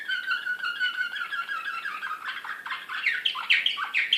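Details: An excited Serbian slavujar canary sings in Belgrade, 2016. A sustained whistled tone with harmonics flows into quickening trills of sharp, downward-sweeping notes that grow louder toward the end.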